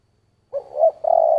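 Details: Spotted dove in 'giọng thổ' voice: a short note and a rising hoot, a brief dip, then a sustained low coo that runs to the end, over faint low thumping.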